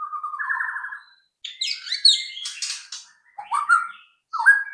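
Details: White-rumped shama song as a lure to prompt other shamas to sing: a low warbling whistle, then a jumble of fast, varied high notes and sliding whistled phrases separated by short pauses.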